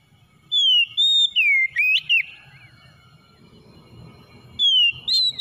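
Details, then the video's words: Kacer, the Oriental magpie-robin, singing to prompt a stressed, silent bird into song. A run of bright whistled notes swoops down then up, followed by a long pause over low rumbling noise. A fresh whistled phrase starts near the end. "KACER SETRES MACET BUNYI SEKALI MENDENGAR LANGSUNG GACOR"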